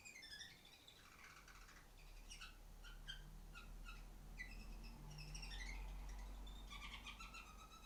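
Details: Singing female canary on top of the farthest cage: a rapid run of short chirps and whistles, about four notes a second, some descending, over a steady low indoor hum.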